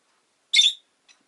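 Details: A single short, harsh high chirp from a pet rosy-faced lovebird, followed by a tiny faint echoing note.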